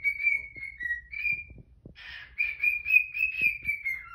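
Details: Morning whistles from a pet cockatiel, a series of level tonal notes, interrupted midway by a buzzy grating squawk from a Quaker parrot, then a long even whistle sliding down at the end.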